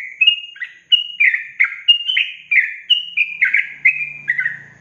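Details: Yellow-vented bulbul in a songbird training recording of long-trill song: a steady run of bubbly, slurred whistled phrases, roughly one per second, rising then dipping, with a low steady hum underneath near the end.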